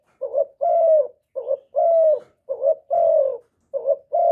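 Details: Spotted dove calling to excite kept decoy doves and males, recorded cleanly: soft hollow coos in paired phrases, a brief quavering note then a drawn-out falling one, repeated four times at a steady pace.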